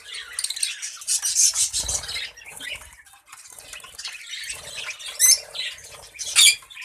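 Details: Many budgerigars chatter together in a colony, a busy mix of scratchy warbles and chirps with occasional sharp, louder squawks standing out.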